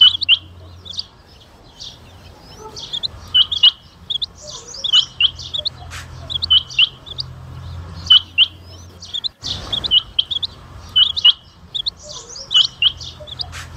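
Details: Rain quail (Coturnix coromandelica) from Jhang and Mianwali giving sharp, high, metallic two-note whistles in quick bursts of overlapping calls, over a faint low hum and one brief rustling thump.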